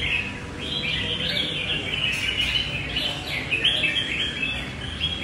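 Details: Red-whiskered bulbul singing loud and long while fighting, a bird noted for flaring quickly. Rapid fluty warbles rise and fall in a continuous stream of short slurred notes over faint background noise.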